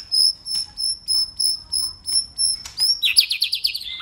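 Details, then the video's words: White-rumped shama singing competitively: a high, thin note repeated about three times a second, then a fast buzzy pulsed trill ending in a short whistle. "Chòe lửa hót đấuđập đuôi đảo giọng liên tục!. cực bền.chòe lửa hót nhiều giọng"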